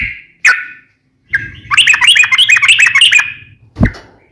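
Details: Sooty-headed bulbul, known locally as trucukan, kept as a songbird, giving a couple of sharp chips, then a fast bubbling, warbling phrase lasting nearly two seconds, ending with a low thump.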